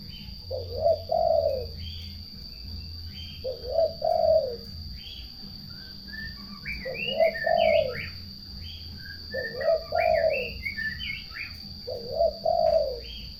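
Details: Turtle doves singing, their low purring double phrases repeated roughly every two to three seconds, five times, while other small birds chirp and twitter at a higher pitch between phrases.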